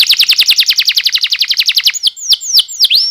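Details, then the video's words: Canary song used as a tutor and lure to get young canaries singing: a fast run of about twenty short, rising high notes, then several slower, sharply dropping whistled sweeps. "MASTERAN Kenari Paud CEPAT Bunyi‼️ Pancingan KENARI GACOR DURASI Panjang Ngerol"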